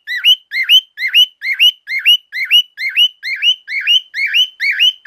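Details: A male cockatiel gives loud, piercing "sweep" chirps that dip and then rise, repeated about twice a second in a steady run with no other sounds.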